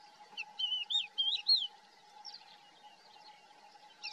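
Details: Thekla's lark calling in the Hoces del Río Duratón gorge, Spain. A short run of fluid, warbling whistled notes rises and falls over about a second, with scattered fainter chirps after. A steady low hum continues beneath.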